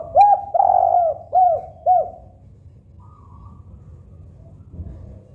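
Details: Spotted dove cooing, a favourite sound used to get other doves calling: four soft low coos, the second drawn out, over a steady low hum.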